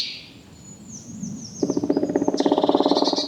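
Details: Black Woodpecker drumming in a forest: a loud, deep, rapid roll of about sixteen knocks a second, under two seconds long, low and thick on a resonant tree, after faint high thin bird notes.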